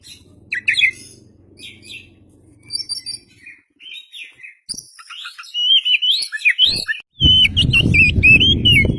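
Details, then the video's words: Oriental magpie-robin (kacer), a lively singing bird: scattered chirps and twitters build into a fluid, warbling whistled phrase rising and falling, ending with a burst of louder noise in the last seconds. "PANCINGAN KACER GACOR Buka Ekor"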